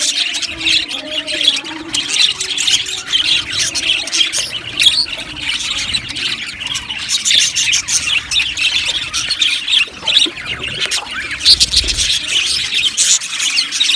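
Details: Aviary full of Australian budgies chattering together: a steady wash of bright chirps, squeaks and short warbled notes from many birds, with brief louder squawks standing out now and then.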